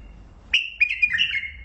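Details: Bulbul of the Mandali type gives a brief burst of liquid warbled whistles, several linked notes trailing off into a steady tone, with faint low hum beneath.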